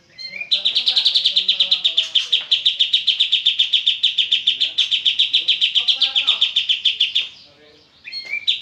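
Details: Oriental white-eye (kapas tembak) in full ngebren song, a machine-gun run of sharp, high chirps at steady pitch lasting nearly seven seconds, then a brief pause before the rapid notes start again.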